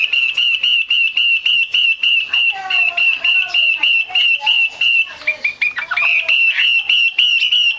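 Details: Female Chinese hwamei, used by keepers to prompt males into song, delivering a long run of sharp repeated whistled notes at a steady pitch, broken midway by lower slurred and rising whistles before the repetition resumes.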